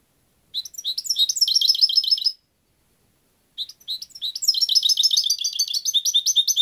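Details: European goldfinch singing two bursts of rapid, high tinkling twitters and liquid chirps, the second phrase longer, separated by a brief silence, with no other sounds.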